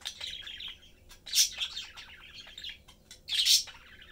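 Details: Budgie family of three chatting and feeding. Rambling gravelly warble broken by two loud, shrill chirps, with a low hum underneath.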